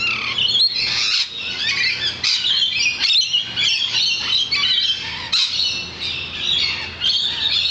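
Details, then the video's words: A large flock of lorikeets seen from a balcony, giving a dense, continuous chorus of harsh, screechy squawks and shrill chatter, many birds calling at once with no pauses; a faint low hum underneath. "Singing Lorikeets"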